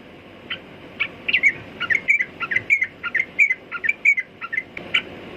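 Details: Separate clear, whistled notes from a sooty-headed bulbul, some slurred up or down, spaced a fraction of a second apart, over faint background noise.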